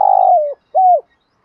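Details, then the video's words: Captive decoy spotted dove cooing in the morning to lure wild doves: a purring, drawn-out note dropping in pitch, then a short, smooth, level coo. "tieng chim cu mồi gáy gọi bổi buổi sáng/ tiếng chim cu gáy kích bổi nhanh nổi hiệu quả"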